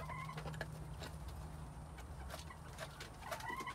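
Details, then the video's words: Quails heard in spring 2021 giving a short level whistle at the start and a rising whistled call at the end, separated by clicks and thuds over a constant low hum. "Quails | Spring 2021"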